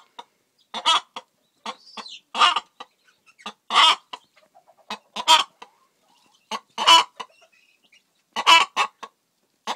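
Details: Faverolles cross hen in the middle of laying an egg, giving spaced, buzzy clucks with a stretched emphatic note every second or so over ten seconds, and soft rustling between calls.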